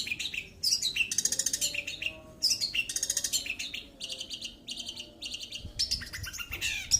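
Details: Long-tailed shrike in continuous 'roll' song, pouring out quick high twittering phrases and rattling trills in clustered bursts separated by brief gaps, each burst of sharp repeated notes, over a soft low background murmur.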